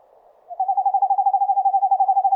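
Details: In a forest, an Eastern screech owl starts after a brief pause and delivers a rapid, pulsing monotone trill, a low whistle held evenly to the end.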